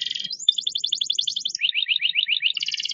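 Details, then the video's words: Canary (banashi) singing while making movements: rapid trilled phrases, first a fast high buzzy roll, then a lower, evenly pulsed trill, then a quick high trill again, all dense and unbroken. "كناري بناشي صوته رررهيب"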